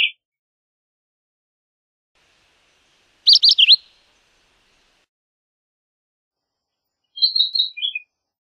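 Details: Philadelphia vireo song and call, heard as a brief note at the start, a rapid cluster of sharp chirped notes midway, then a short descending whistled phrase near the end, each separated by long quiet gaps.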